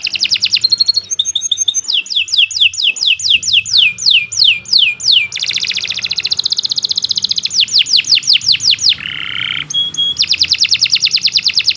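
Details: Domestic canary in full, lengthy song for tutoring young birds, shifting through rapid trills, sweeping downslurred whistles repeated in series, a buzzy rattle and a brief low churr, all high and bright.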